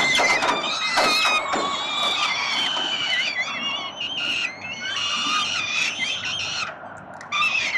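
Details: Peregrine falcon chicks fed by the father at a city nest in Melbourne, Australia: dense, high, squealing begging cries, many wavering and upslurred, several voices calling together almost without pause.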